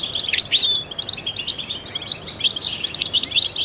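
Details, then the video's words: Short burst of European goldfinch song from a trained bird: bright, tinkling chirps and quick twitters packed closely together, loudest at the start and again after a slight dip. "goldfinches chirp to stimulate songbirds"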